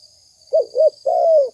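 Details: Single phrase from a spotted dove used as a lure: two brief rounded hoots then a sustained coo that slowly drops in pitch, above a steady high whine.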